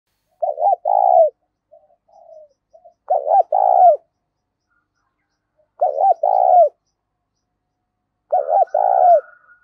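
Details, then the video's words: Spotted dove calling in the loud, clear 'giọng thổ pha' voice style with little background noise: four low cooing phrases about 2.5 seconds apart, each a quick double note then a longer burry coo dropping at the end, with faint soft notes between. "tiếng cu gáy giọng to + rõ + ít tạp âm giọng thổ pha"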